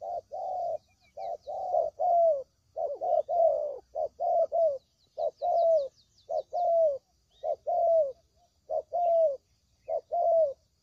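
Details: Used as a trapping lure, a spotted dove coos repeatedly: low husky notes in pairs and triplets, longer coos sliding downward, with a brief series of high chirps from small birds in the background.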